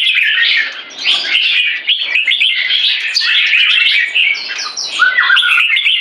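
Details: In a cage, a young red-whiskered bulbul showing early spotting holds a C-shaped aggression stance. Nonstop bright chirping and whistling fill the stretch, and a few clearer downslurred notes come near the end.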